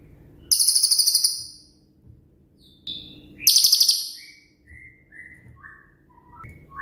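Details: Cililin, a shooting-type songbird used as master song for training songbirds such as magpie robins, shrikes and leafbirds: loud, very high rattling burst of about eight rapid notes, repeated after a pause, with thin falling and rising whistles between.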